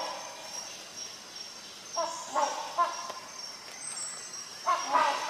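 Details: Rhinoceros hornbill calling in a quick cluster of resonant honks around the middle, then another pair near the end, with a constant shrill insect drone behind.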